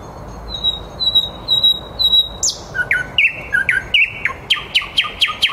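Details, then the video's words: Nightingale singing live at 21:30 in the city, in Käpylä, Helsinki: a few high whistled notes repeated evenly, then a louder burst and a run of sharp, rapidly repeated notes, over steady low city noise. "Käpylän satakieli Nightingale"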